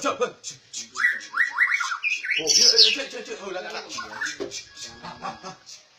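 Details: Trained captive white-rumped shama, described as rare, giving a run of quick rising whistles that climbs into a loud, harsh high flourish. Low human voices murmur behind the song.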